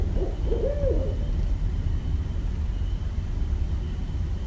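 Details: Barred owl in Westchester, New York, recorded 5.1.17: a single brief burst of a couple of short hoots and a downward-sliding hoot in the first second, then only low rumbling background noise.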